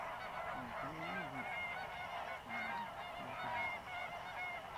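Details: Greater flamingos, dry-season migrants among over 6000 birds fishing in the lagoons of Mannar Island, Sri Lanka, chatter non-stop; overlapping nasal, goose-like honks form a continuous din, with a few lower wavering honks standing out early on.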